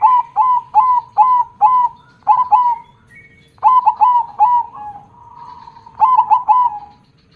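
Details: Zebra dove in full song with a big 'kong' voice: a long run of loud, clipped ringing coos in bursts of three to five, with short gaps and a faint drawn-out hum between bursts.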